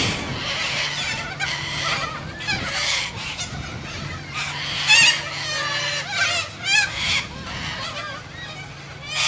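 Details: A noisy group of Australian white cockatoos keeps up dense, overlapping raucous squawks and grating screeches, with a few louder shrieks standing out and a steady low mechanical hum underneath.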